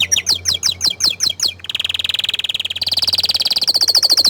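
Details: Singing orange frost canary: a run of quick descending chirps, then a sustained fast rattling trill that steps up to a higher, brighter roll, over a faint low hum.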